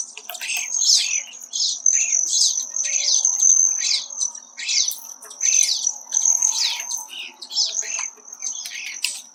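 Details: Male Hairy Woodpecker at a suet feeder in piñon-ponderosa country at about 7,000 ft, Chaffee County, Colorado: sharp, short descending notes repeated about every half second, over a steady thin high whine.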